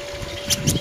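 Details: Fussy chipping sparrows, apparently including a young one, on 04-07-2013: two quick, sharp, high chip notes a fraction of a second apart, over a low engine rumble and steady hum.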